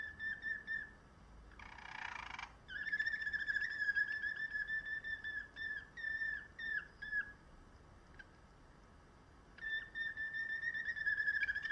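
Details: Song canary sings a rolled whistle, then a harsh buzzy burst, a long low trill, and clipped whistled phrases with pauses, closing with another sustained rolling whistle.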